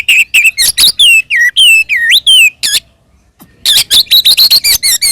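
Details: Oriental magpie-robin fighting song meant to provoke other magpie-robins: rich looping whistled phrases, one swooping up and down, then after a brief gap a fast train of repeated bright notes.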